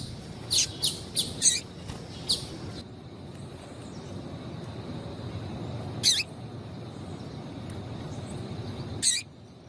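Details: Female yellow-bellied seedeater calling to make males sing: a rapid cluster of short high chirps at the start, then single sharp notes spaced about three seconds apart against low steady noise.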